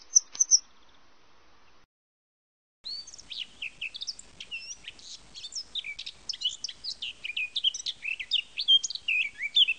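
Eurasian blackcap pouring out a fast, rich warble of varied fluty and scratchy notes after a short pause; a few thin high notes from another bird open the recording.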